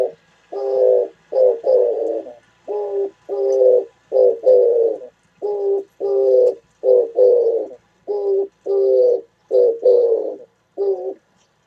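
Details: Oriental turtle dove recorded on 27 January 2017, giving low hoarse coos in short and long notes, grouped in repeated phrases of about four notes with brief pauses, steady throughout; faint high chirps of other birds in the background.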